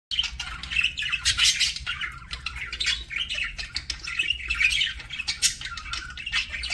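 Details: Pet parakeet at a meal: continuous warbling, squeaky chatter with rapid bursts and high scratchy notes, mixed with sharp clicking ticks throughout, over a low steady hum.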